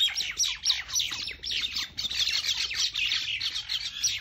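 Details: Mynas fighting, a dense burst of harsh, scratchy chatter and squeaky notes tumbling over one another without pause, several birds calling at once in an agitated jumble.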